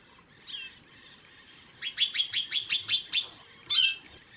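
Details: White-bellied seedeater female giving calls while a male sings in the background. A soft note, then a rapid series of seven bright, evenly spaced chirps and one final sharp note. A thin high tone hums faintly throughout.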